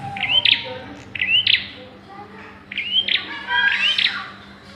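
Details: Bar-winged prinia calls during the pairing stage: sharp chirps with a brief buzzy edge in spaced pairs, then a denser burst near the end, over a faint steady low hum.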